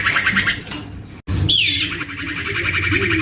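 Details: Young male common iora (cipoh or sirtu) trilling: the tail of a buzzy call, a brief break, then a bright descending whistle leading into a fast rattling trill.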